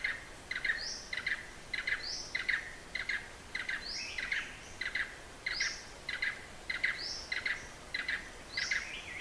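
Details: Blue-eared barbet in Hala-Bala Wildlife Sanctuary, far southern Thailand: rhythmic paired knocking notes, steady and repeated about every half second, with a brief rising whistle that recurs regularly over faint forest background.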